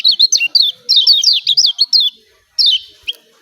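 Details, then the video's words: Lombok kecial kuning, the yellow white-eye, in 'ciak ciak' call mode, a lure for silent birds: a quick string of high, bouncing, slurred chirps for two seconds, a pause, then two more sharp notes. "CIAK CIAK JOSS KECIAL KUNING AMPUH"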